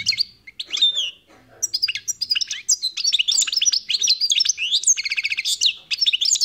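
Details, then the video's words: Wild European goldfinch in full song: a long, unbroken stream of high twittering, rapid chips and short buzzy rattles, the sound growing denser and more excited toward the end. "تغريد طائر الحسون"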